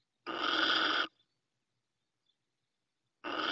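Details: Little owl female on the nest in Ávila, Spain: one long, loud wheezing hiss near a second in length, then silence, then the next hiss beginning.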